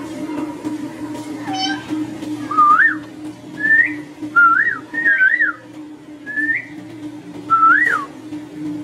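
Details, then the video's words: Pet Indian ringneck parakeet whistling a series of six or seven short clear notes, each looping up and down, spaced roughly a second apart, with a steady low hum underneath. "Ringneck parrot whistling"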